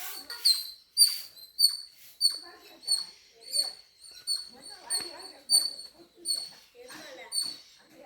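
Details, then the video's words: Birds at home repeat a high, sharp chirp roughly every half second to second while a person speaks softly in the background. "Bird chirping sounds in my home"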